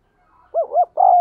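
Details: Brief spotted dove coo for training decoys and attracting wild doves: two quick arched hoots followed by a steady longer note, cut off abruptly.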